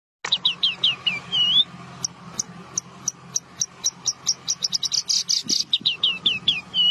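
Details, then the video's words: Australasian bushlark song: a quick run of sharp, high chirps and short whistled slurs, some notes rising and others falling, delivered in bursts, over a faint low hum. "burung branjangan"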